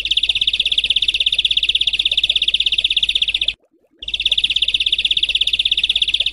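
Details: Bird training audio of harsh 'besetan kasar' phrases for house and contest birds: an unbroken rapid grating rattle, cut by one brief silence, with a steady hiss behind it.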